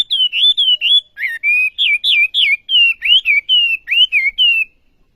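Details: Olive-backed sunbird in strong song: about fifteen clear, high whistled notes, some dipping and rising, delivered steadily over five seconds, then silence.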